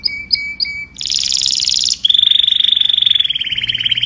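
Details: Canary song to call the flock: three short whistled notes, a dense high buzzing trill, then a long, evenly pulsed rolling trill lasting two seconds.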